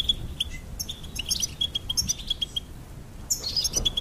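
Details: Singing goldfinch gives a string of sharp, ringing chirps and tinkling twitters, repeated several times per second, then a louder burst of jumbled high notes near the end.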